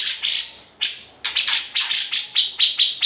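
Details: Grey-cheeked bulbul master song, valued for its harsh rasps and trills; loud scratchy bursts spaced unevenly at first, then quicker chips settling onto a steady shrill tone toward the end.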